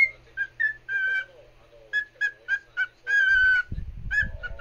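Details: Cockatiel kept as a pet, singing for a companion cockatiel: series of short whistled notes and a long harmonic-rich whistle, with a low thumping or handling noise near the end.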